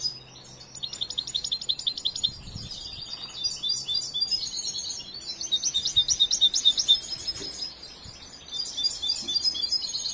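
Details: Still-developing song of a young European goldfinch raised and schooled from the nest: quick runs of high, tinkling, twittering notes mixed with buzzy trills, rising to a loud stretch mid-clip, with a faint low hum underneath.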